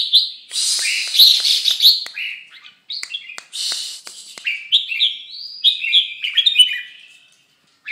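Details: Moulting red-whiskered bulbul giving a lively, varied song of chattering bursts followed by a string of clear, bouncing whistled notes rising and falling in quick succession.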